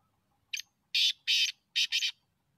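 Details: Black francolin call, used for hunting: one short harsh note, then two pairs of loud, rasping, buzzy bursts, about five notes within a second and a half, against a quiet background.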